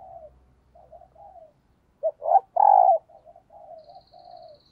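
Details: Spotted dove used as a decoy, cooing in the morning to call wild doves: soft low coos, then a loud burst of three rough, rising-falling coos, followed by quieter coos; faint high tone near the end.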